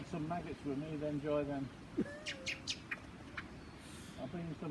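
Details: Lyrebird in Australia, very close to a man, displaying with a sliding whistle then a quick burst of sharp, ringing, high notes between stretches of the man talking; observers suspect a mating call.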